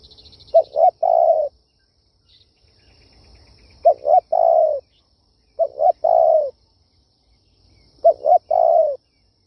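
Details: Spotted dove in kích bổi luring style, four repeated phrases roughly every two seconds, each two clipped low coos then a longer mellow coo; faint background hum between phrases.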